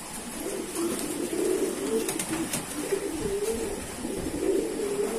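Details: Kept pigeons giving low purring coos, a series of short rolling phrases repeated across several seconds, with a faint hiss and occasional light clicks in the background.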